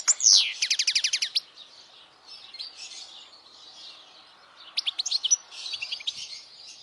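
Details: Goldfinch song meant for young goldfinches to learn and to attract females: a fast run of sharp repeated chirps at the start, a long quiet hissy stretch, then another short burst of twittering notes.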